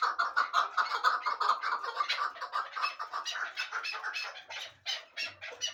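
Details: Rhythmic chuk notes from a hybrid fighting and hunting partridge, fast and evenly spaced at first, then slowing into separated louder calls near the end.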